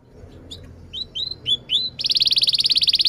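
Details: Canary singing lively and sharp, with cuit-cuit chirps and rolling trills, used as a tutor song for young canaries; a few quick upward-sweeping chirps give way to a fast, even, loud buzzing trill.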